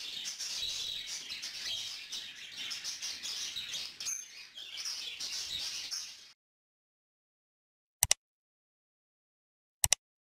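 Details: Young yellow lutino female cockatiel asking an adult male for food; about six seconds of harsh rasping chatter stop abruptly, followed by silence broken by two sharp clicks.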